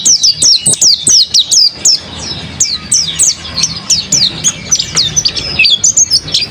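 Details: Mountain white-eye owned by a keeper, singing gacor style: crisp, high chirps falling in pitch, fired in rapid clusters, then a softer, more warbled stretch near the end.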